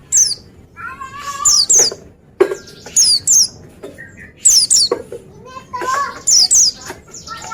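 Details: High, thin, down-slurred paired whistles from an Oriental white-eye recur about every one and a half seconds. Mid-pitched chirps and short calls from other birds fill the gaps.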